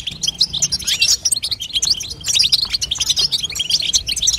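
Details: Female European goldfinch calling to encourage a young bird's song, with lively high twitters and quick, slurred chirps tumbling one after another.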